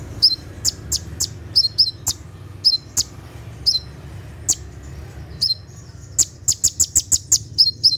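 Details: Brown-throated sunbird, or konin, gives a 'tembakan' night song for training caged birds: regularly spaced, high chirps and whistles, ending in a fast run of about eight sharp ticks.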